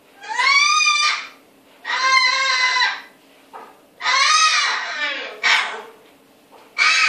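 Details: Cockatoo mimicking an unknown sound indoors: long harmonic wavering calls, bleat-like and nasal, about a second each, repeated with short pauses, a low steady hum beneath.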